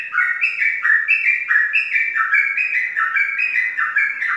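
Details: Caged male-type competition sooty-headed bulbul from Pemalang, Indonesia, a contest champion, singing a fast unbroken run of bright whistled two-note phrases, each stepping down in pitch, repeated about every third of a second; no other sounds.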